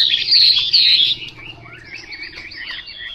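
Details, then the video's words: Short burst of Chinese hwamei song: loud, piercing high whistles for the first second, then softer rambling warbled notes. "Họa mi mộc"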